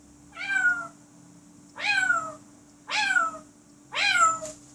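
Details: Pet African grey parrot indoors, giving four drawn-out, downward-sliding, meow-like harmonic calls at intervals of just over a second. A steady low hum runs underneath.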